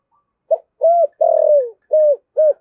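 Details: Spotted dove kept as a decoy, voice of the "giọng thổ" type, delivers a clean five-part phrase: a quick opening note, a level coo, a long falling coo, and two shorter even coos, in a quiet room.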